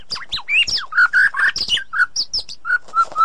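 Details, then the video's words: White-rumped shama song played to get a silent caged shama singing again: varied rich phrases, clear whistles near the middle register mixed with high sweeping notes and sharp chips, notes spaced closely in a lively run. "Ocehan Murai Batu || Therapi Sangat Cocok Untuk Mengatasi Murai Batu Macet"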